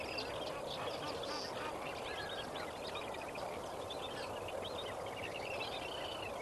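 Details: At Kamfers Dam at dawn on 18 May 2024, a lesser flamingo colony keeps up a busy babble of nasal, goose-like honks and chattering notes, with a constant hiss of wind or water beneath.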